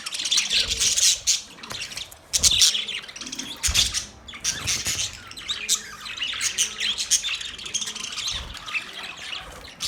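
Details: A pet budgerigar keeps up a busy, scratchy warble of overlapping high chirps and short squeaks, stronger in the first four seconds and then continuing more evenly.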